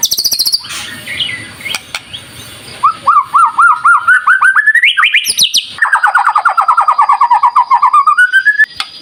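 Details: Energetic White-rumped shama singing, used as a lure for other shamas before contests: high thin notes, then long rapid runs of looping whistled notes, one rising and another slowly falling then climbing.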